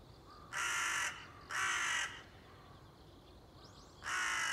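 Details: Crow on 30 September 2020 giving two loud, coarse caws in quick succession, a pause with faint background chatter, then a third harsh caw.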